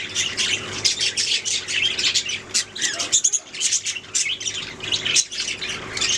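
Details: Budgerigars chirping and singing in a continuous jumble of scratchy, buzzy notes and short squawks, many birds overlapping, a low hum in the background.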